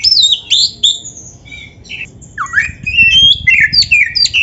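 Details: White-rumped shama (kacer) song used to train caged birds: high sharp whistles, a short pause, a low downslurred note, then quick varied whistled and chattering phrases.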